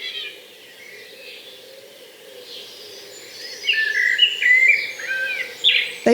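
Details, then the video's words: A common blackbird in a Hampshire garden, UK, sings rich, fluted, warbling phrases that grow louder toward the end, over a steady low background hum. "the black bird song is a beautiful melody and one of my favorite to hear [Music] [Music] they"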